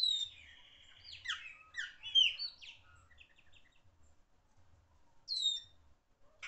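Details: Chopi blackbird, a loud singer, delivering a quick cluster of slurred whistles and short buzzy notes, followed by near silence and one last downslurred whistle, with faint low thumps behind.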